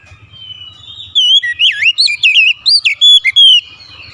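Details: Oriental magpie-robin delivering a dense phrase of loud melodious whistles, quick slurs and sweeps packed into about two and a half seconds after a soft lead-in note.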